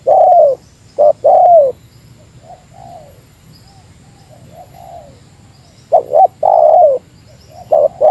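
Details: Meratus-style spotted dove lure call aimed at a rival: clipped double hoots and a long coo, several seconds of faint softer coos, then the loud phrase again.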